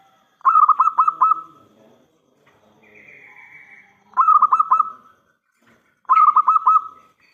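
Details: Lure call of a loud, active local zebra dove: three bursts of rapid, rolling cooing notes, each under a second, a few seconds apart, with a soft, faint whistle heard between the first two.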